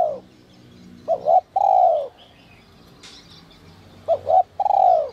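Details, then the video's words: Spotted dove with a giọng còi 'te te' voice used as a lure for wild doves: two phrases of two short notes and a long, bright coo that bends downward, after the end of an earlier coo. Distant chirps and a brief flutter. "Chim cu gáy GIỌNG CÒI te te kích bổi cực sung, giọng nhạy bổi kích cu gáy bổi nhanh gáy"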